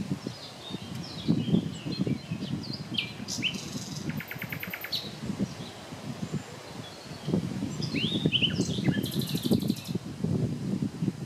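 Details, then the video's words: Common nightingale in song near Klein-Auheim and Hainburg am Main, late morning, 30 April 2020: varied phrases mixing swooping whistles, a fast buzzy rattle and a later dry trill, with low rumbling background noise throughout. "Nachtigall (Luscinia megarhynchos) mit Gesang"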